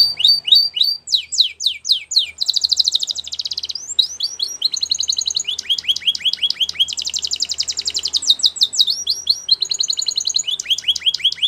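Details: Belgian canary singing as a training song: loud downslurred whistles alternate with rapid rattling trills and fast repeated notes in a continuous varied sequence.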